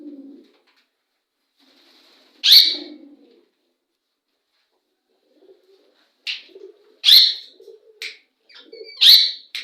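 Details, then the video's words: Parrots calling to each other: loud, harsh, broadband screeches in short bursts, one near the start and a cluster of four or five later, separated by silence, with faint lower chatter between them. "parrots calling to each other"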